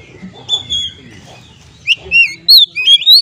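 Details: Kacer, an Oriental magpie-robin, used as a lure to stir stressed birds into song: a few sharp whistled notes and rising slurs cluster in the second half after a quiet start, with faint low rumbling beneath.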